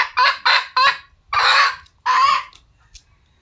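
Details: Red junglefowl, wild, uttering three quick harsh clucks followed by two longer, louder rasping squawks, with a faint note afterward.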